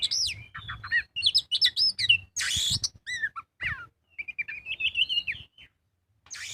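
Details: Magpie-robin singing fully as a lure to spur other birds: fast chips and whistles, a harsh raspy burst, then a long wavering trill before silence.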